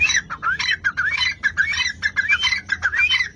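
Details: Partridge (dhakni tetar) calling in a rapid, harsh, squawking series: raspy mid-pitched notes with brief rising and falling slurs, delivered in quick bursts about eight times in three and a half seconds, with a low background rumble.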